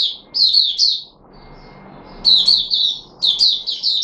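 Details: Puteh Raja red-whiskered bulbul, a cage bird recorded 13 April 2021, sings two quick clusters of loud, liquid whistled notes broken by a pause of about a second, against a low room hum.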